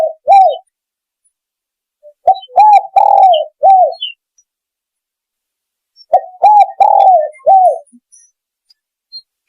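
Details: A spotted dove's lure call repeats about every four seconds: a brief opening note, then four mellow hoarse coos, the middle one drawn out and slightly falling, with silence between phrases.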